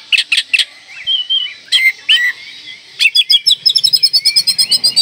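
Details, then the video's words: Oriental magpie-robin in breeding condition provoking rivals: loud sharp notes and sliding whistles, ending in a rapid even trill of ringing chips. "Kacer Gacor Full Isian Mewah Merangsang Birahi Agar Tetap Gacor Ngobra Dan Lawan Jadi Emosi"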